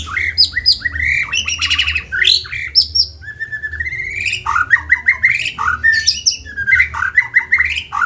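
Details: White-rumped shama, kept as a cage bird, singing a prompting song meant to get other shamas singing: rich, varied phrases of rising whistles, slurred notes and rapid buzzy trills, with a steady low hum behind.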